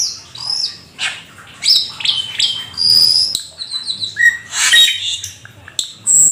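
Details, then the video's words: Black-winged starling, a rare exotic bird, in full imitative song: clear whistles at varying pitches, squeaky slides and harsh chattering bursts, with brief silent gaps between phrases. "Jalak Keling gacor full isian"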